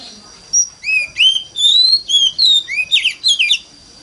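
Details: Mountain-forest-style song of an Oriental magpie-robin used to prompt other magpie-robins to sing: a short whistle, then a string of sliding clear notes building into quick overlapping twitters, over a faint steady high tone.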